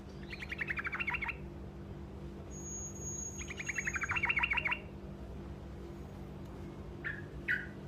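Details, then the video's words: Truco bird singing a short roll meant to make other birds answer: two fast trills of clipped, descending notes about a second each, a few seconds apart, then two brief sharp chirps, over a steady low hum. "Suara Burung Truco Ngerol Pendek Dijamin Pasti Nyaut"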